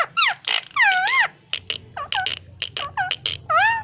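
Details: Talking parrot, kept as a pet, giving a series of clear whistled notes with swooping, curving pitch, some rising then falling, in quick bursts separated by short gaps, indoors with no other sounds.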